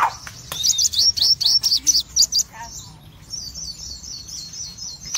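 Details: Crimson sunbird of the cremino red-eyed form delivering rapid, sharp high-pitched bursts in quick succession, then a softer, thin trilling run of high notes to the end.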